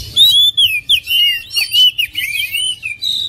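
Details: Short burst of oriental magpie-robin song: clear, loud, slurred whistles that swoop up and down, one after another without pause.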